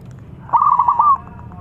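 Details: Single quick, rolling phrase of hooting coos from a thick-voiced young local zebra dove, a keen singer used as a lure for other doves, over a low background hum.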